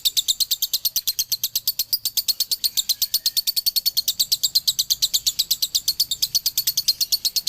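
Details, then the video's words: Long dobelan from a male lovebird from Ciamis: clean, rapid, evenly spaced high chirps, close to three per second, forming a steady shrill chatter in quiet surroundings. "SUARA ASLI DOBELAN LOVEBIRD JANTAN"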